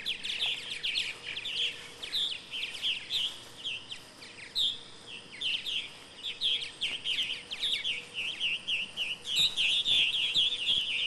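Purple martins chatter steadily in a dense stream of bright, gurgling chirps and warbles, several birds overlapping, with a faint low hum underneath.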